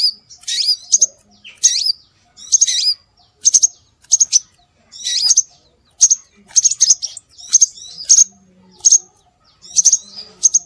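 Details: Repeated bursts of shrill, high chirps with swooping whistled notes from scarlet minivet, used as a lure, spaced about every second in an even rhythm.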